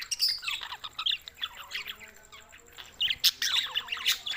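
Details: Lively budgerigar twittering recorded in Larkana, Sindh, on June 7, 2024: bright squeaky chirps and warbled notes tumbling together, with sharp loud squeaks near the end.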